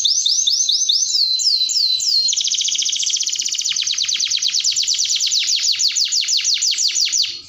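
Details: Canary in long 'gacor' song: wide swooping notes at the start give way to a rapid, steady high trill of down-slurred notes repeated roughly three times a second, loud and unbroken.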